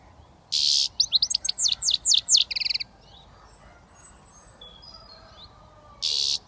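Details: A young European goldfinch from Britain, only starting to whistle, opens with a short harsh buzz, then rattles off quick high twittering notes and a brief trill; after a quiet stretch with faint birds, another buzzy note ends it.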